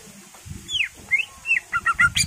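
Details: Greater green leafbird song, played to draw other birds into singing: a down-slurred whistle, then rising whistles and quick paired notes over rough background noise.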